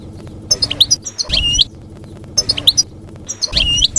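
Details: European goldfinch giving short field-style ('campero') song phrases, played to young goldfinches so they learn it: brief clusters of sharp, liquid twitters about a second apart, over a low rumbling background.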